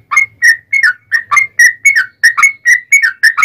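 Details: Yellow-vented bulbul giving a long, fast fighting song meant to provoke replies from other bulbuls: steady chains of rich, gurgling whistled notes, roughly three or four a second, each rising then dropping, over a faint low hum.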